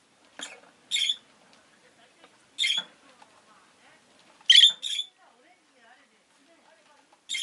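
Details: Loud, rasping double shrieks from a rosy-faced lovebird, repeated at intervals of one to two seconds, with faint soft chatter underneath.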